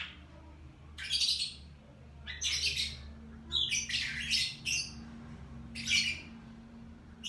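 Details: A lovebird in the morning gives loud, harsh squawks in short bursts roughly every second, some doubled, against a low steady hum.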